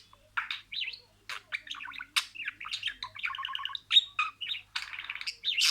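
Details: Budgerigar chattering and imitating words: varied warbles, clicks and a fast repeated stuttering trill of short notes, with bright sharp squeaks near the end.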